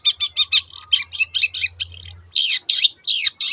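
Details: Long-tailed shrike singing, used as a lure for other birds: quick harsh, buzzy notes repeated in a steady series, then a few louder broad rasping calls near the end; faint low hum behind.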